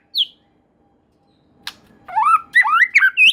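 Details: White-rumped shama singing, a song said to trigger song in other shamas: one high whistled note, a quiet gap with a click, then a rush of sweeping, warbled whistles.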